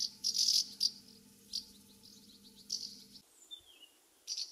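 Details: House martins in the UK calling as they fly around their nest site: short dry buzzy chirrups in quick bursts, clustered in the first second and recurring about every second, over a steady low hum that stops partway through.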